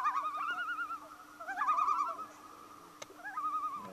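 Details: A loon at dusk on Dollars Lake, Ontario gives three bouts of quavering, wavering tremolo calls at a middle pitch, with a faint steady low hum and one sharp click behind.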